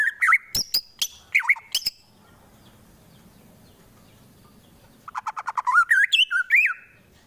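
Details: White-rumped shama fighter bird, Wonosobo, Central Java, singing harsh bursts to agitate rivals into fighting: sharp whistles and snapping notes for two seconds, a quiet gap, then a rapid rising run of whistled phrases.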